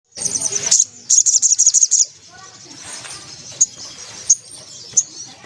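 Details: White-breasted woodswallow singing vigorously in the ngelaper ngriwik style: two bursts of very high, rapid, buzzy chattering notes within the first two seconds, then a few isolated sharp chips over a quiet background.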